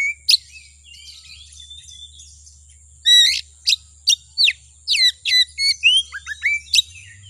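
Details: Kacer, the Oriental magpie-robin, singing as a lure to stir other kacer into song; a soft twitter, then a loud run of sharp downslurred whistles and chirps over a steady low hum.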